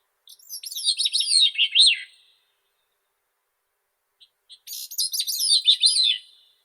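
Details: Song of a Grey-cheeked thrush: two reedy, high-pitched phrases, each about two seconds of quick slurred notes spiralling and sliding downward, separated by a silent gap of roughly two and a half seconds with a couple of faint soft notes.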